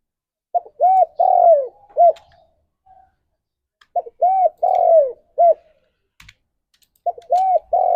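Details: Spotted dove song played to spur pet doves into singing, phrases of short arched coos plus one long falling coo, repeated about every three seconds with silent gaps between.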